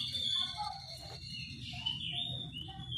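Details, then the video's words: Morning ngeplong song of an Oriental magpie-robin meant to draw a reply from rivals: varied whistled notes, some sustained and some dipping, over a steady low background hum. "Kicau suara burung Kacer ngeplong memancing lawan di pagi hari, sekali dengar langsung nyaut!"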